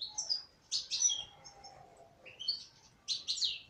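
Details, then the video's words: Song of a female European goldfinch: short bright twitters and tinkling notes in clusters, a thin lower whistle drawn out in the middle, then quick twittered phrases again. "تغريد انثى حسون"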